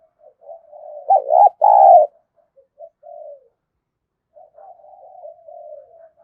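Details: Spotted dove decoy voice to draw in wild doves: two loud, rough, wavering coos early on, then gentle low cooing after a silent gap.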